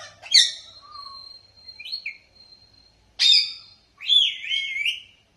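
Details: Parrot calls: a sharp squawk that runs into a long, level, thin whistle, a brief chirp, then a harsh squawk followed by a wavering, buzzy screech.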